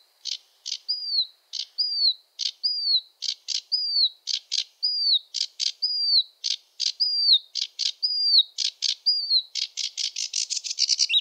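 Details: A sedge warbler, a wetland bird, sings a fast, chattering song of harsh buzzy notes mixed with sweet down-slurred whistles, rising to a frantic rattling trill at the end.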